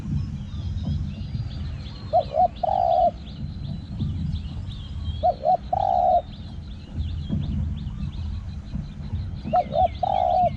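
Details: A spotted dove calling in daytime, perched on a power line beside forest, repeats a soft three-part coo, two quick notes then a longer one, about every four seconds, over low rumble and chirping insects or birds.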